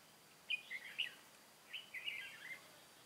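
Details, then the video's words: Red-whiskered bulbul decoy from Cao Phong luring wild birds into a trap, 23 August 2018; two short warbled phrases of bright, slurred chirps about a second apart, with quiet background. "Bẫy chào mào Mồi Cao phong ra trận bắt bổi"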